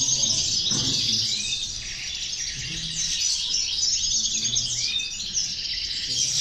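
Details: European goldfinch chorus used to stir goldfinches to sing: a continuous bright, buzzy twittering with occasional rising slurred notes and a soft low hum.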